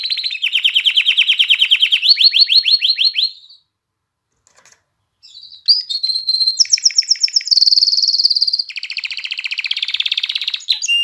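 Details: Canary song intended to stimulate mating in females and singing in chicks: a pulsing rolled trill, a gap of near silence, then varied bursts of high whistles, a fast piercing trill and a lower buzzy warble.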